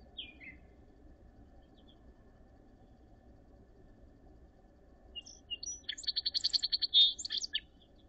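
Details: Song sparrow in Northern Ontario, snowy late April 2023, singing after a quiet pause: a couple of high opening notes, then a fast, even trill of chips with a louder whistled note and closing buzz.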